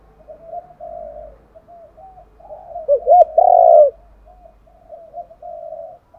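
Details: Spotted dove luring call for drawing in wild doves: long stretches of soft, murmured cooing around a brief, loud, arched, throbbing phrase in the middle, with a faint low rumble.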